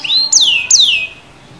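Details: Black-red canary giving two loud, clear whistled notes, each jumping up sharply and then sliding steadily downward, followed by quiet.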